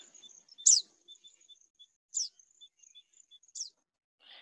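Blyth's Pipit gives three short, nasal, descending calls about one and a half seconds apart, softer than a Richard's Pipit, over faint high thin tones.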